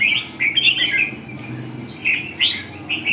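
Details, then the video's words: Red-whiskered bulbul of the Binh Dinh type, known in Vietnam as chào mào, singing in bursts of bright warbled phrases with short pauses and faint background hiss. "binh dinh 5 mùa -Kênh về chim Chào mào"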